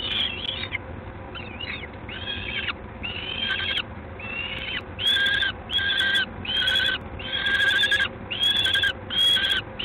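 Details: Peregrine falcon at LOTOS in Gdańsk, recorded 3 June 2016 at 19:47, gives a series of harsh, drawn-out calls, about ten in ten seconds, growing louder and more clipped in the second half over a steady low rumble.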